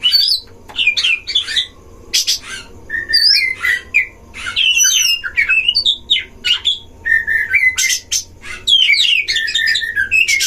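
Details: Oriental magpie-robin from a breeding enclosure, its duel song used to provoke others of its kind: long, busy medley of warbled whistles, wavy high notes and grating rasps, continuing with brief pauses.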